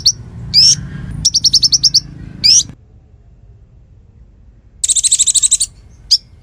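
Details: Konin song, a training recording for murai: rising buzzy notes framing a rapid chattering trill, a pause, then a dense harsh buzzing trill and a final sharp note.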